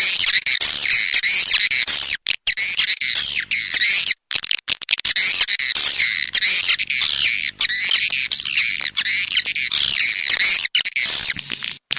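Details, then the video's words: Swiftlet calling in a lure recording: long stretches of shrill, warbling chirps and trills, loud and nearly nonstop, broken by brief silent cuts. "Sp Burung Walet Dewa Amoy Super Raja Sedot"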